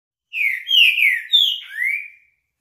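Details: Green-winged saltator in its classic song: a loud phrase of rich, slurred whistles, each note sliding down, with a final lower rising whistle, in an otherwise quiet setting.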